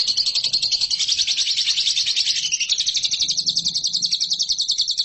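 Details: Training song of a competition lovebird: a dense, high, buzzing trill running without break, gradually steadier and more evenly pulsed toward the end.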